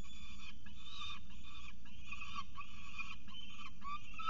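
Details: Peregrine falcons acting up at their nest, Orange, New South Wales, 18 November 2022: a rapid series of about eight harsh, nasal harmonic notes, each roughly half a second long, given back to back with short gaps, over a steady low rumble.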